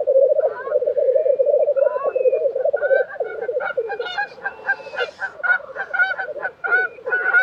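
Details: Black grouse at the lek in Tiveden, Sweden, April 2023: a continuous low bubbling, cooing chorus with fast throbbing pulses. Higher whistles, chirps and sharp hissing bursts from other birds rise above it.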